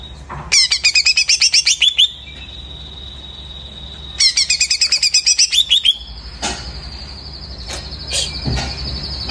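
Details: Greater green leafbird singing after finishing its moult: two bursts of rapid, evenly repeated sharp high notes, each running into a long steady whistled tone, ending in a sustained buzzy high note.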